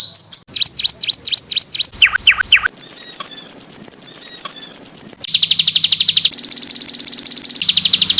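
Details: Canary master song for tutoring other birds: short bursts of sharp repeated chips, then long high buzzy rolls of rapid notes sung continuously.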